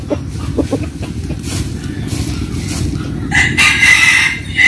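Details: Rooster at a countryside home in western Vietnam in the morning: scattered clucks, then a loud crow starting near the end and cut off, over low engine noise.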